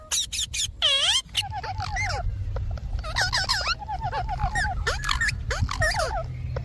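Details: Pet Indian ringneck parakeet producing a loud bell-like descending squawk, then strings of repeated hooked, voice-like syllables, over a constant low rumbling background noise.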